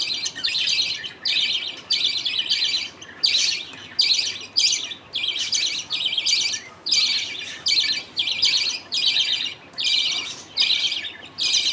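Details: Colony budgerigars during feeding, father passing millet paste to two chicks, mother looking on; rapid, regular bursts of harsh, buzzy chirps, each under a second, separated by short silences.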